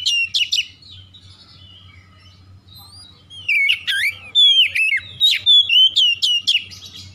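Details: Oriental magpie-robin singing, used as a lure to get silent magpie-robins singing: a short whistled burst, a pause of near quiet, then rapid loud run of sweeping, chattering whistles and sharp upslurs, with a low hum underneath.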